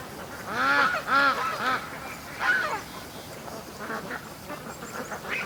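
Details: Domestic ducks released from their pen for a morning rush to the creek; several loud nasal quacks in a quick series of three, then another, followed by quieter chatter from the flock.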